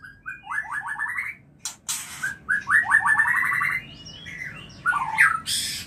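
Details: White-rumped shama mating call for breeding: rapid rising trills of repeated notes in two series, with harsh bursts between and a final whistled phrase.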